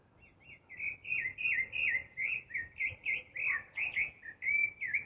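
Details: Thrush singing in spring, a natural recording: a continuous run of short, sweet warbled phrases, each rising and falling slightly, delivered rapidly one after another with little pause, against a quiet background.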